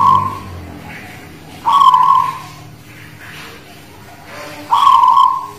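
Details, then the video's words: Singing (manggung) Guling Murio Zebra dove from the Muria mountains, Kudus: the tail of one phrase, then two full cooing phrases about three seconds apart, each clipped at the start and rolling smoothly to a fading end. "Suara Perkutut Guling Murio Manggung"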